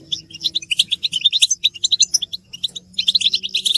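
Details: European goldfinches chirping in quick succession, a stimulation recording with mating calls to make males sing: bouncy, separate high notes, several per second, with a faint low hum.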